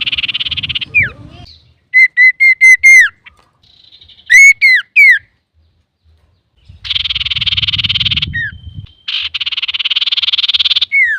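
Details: Male common iora in strong song to provoke other birds: a long harsh buzzing rattle, groups of clear downslurred whistles, then two more extended rasping rattles.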